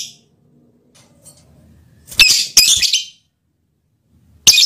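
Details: A lovebird's mating call aimed at its male partner: faint low rustling, then two strident, shrill chirps close together and a last piercing squeak after a pause.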